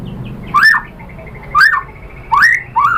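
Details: White-rumped shama (murai batu) lure recording: four loud upward-slurred whistled notes spaced under a second apart, with faint softer notes between.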